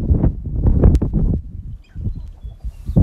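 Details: Male sharp-tailed grouse competing on a lek to be the dominant male; a low, thumping, clucking burst of rapid pulses, pausing briefly midway, then resuming, with outdoor rustling.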